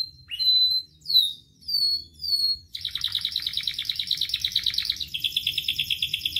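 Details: Singing canary on a recording meant to train and spur other canaries into full song: four looping whistled downslurs, then a long rapid rattling trill that shifts to a lower pitch midway, over faint low hum.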